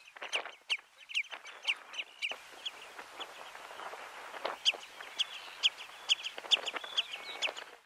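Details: Dunlin (Calidris alpina schinzii) in Flatey, Iceland, in June, giving short, high, slightly buzzy notes, repeated irregularly about twice a second, with a few sharper clipped calls mixed in.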